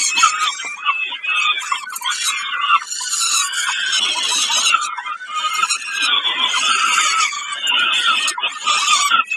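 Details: Peregrine falcon calling during a snack at Kawęczyn, 20 May 2022: hoarse, screechy squeals repeated in dense bursts, with short lulls and faint clicks and scrapes between them.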